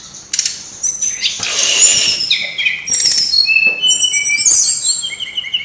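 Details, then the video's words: Brown-chested jungle flycatcher song, played as a lure to get birds singing: dense overlapping high whistles and trills, some sliding downward. Sharp broadband clicks or flutters break in near the start and around the third second. "suara ribut burung srdc /pancingan suara burung srdc biar gacorrrrr"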